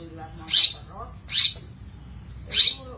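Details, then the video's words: Long-tailed shrike on a master track for bird training. Three loud, rough rasping calls are spaced about a second apart, with faint softer notes in between. "Masteran Cendet / Kicau Cendet"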